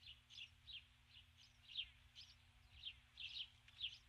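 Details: A female osprey on her nest at dusk on 21 July 2015 calls repeatedly for her mate, who stays away; evenly spaced, squeaky high chirps, two or three each second.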